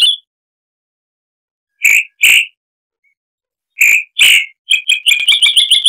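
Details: A chalk-browed mockingbird (Mimus saturninus) sings harsh, scratchy notes in pairs with short pauses, then breaks into a fast, stuttering run of rasping chatter.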